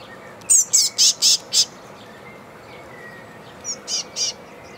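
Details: Cheekiest tit of a gang calling for mosquitoes: a run of five loud, scratchy high chirps, a pause, then three fainter ones.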